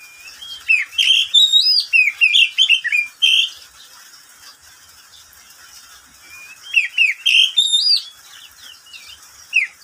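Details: Caged pet oriental magpie-robin singing in the middle of the day: two bursts of rich, varied whistled phrases with sliding, rising and falling notes, about three seconds of song, a pause, then a second phrase and a lone closing note.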